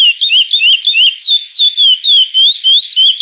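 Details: Chestnut-bellied seed-finch classic "Praia" song, used as a training recording, with three song variations: a fast, steady run of sweet whistled notes, rising and falling slurs about three per second, with no other sounds.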